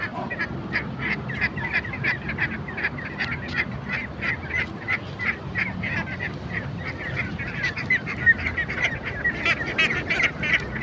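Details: Several ducks chatter continuously, with short nasal calls tumbling over one another at an irregular rhythm against a steady low hum.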